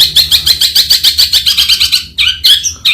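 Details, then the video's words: Long-tailed shrike, close and loud, giving a rapid train of harsh, scratchy repeated notes at a steady fast pulse, then a few broader rasping calls. "a bird with a very melodious voice, the long-tailed shrike"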